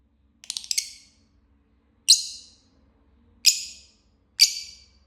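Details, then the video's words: Chirping lovebird gives a stuttered burst of short rasping notes, then three separate harsh screechy chirps roughly a second apart, in an otherwise quiet setting. "Love Bird Singing and Chirping Sounds"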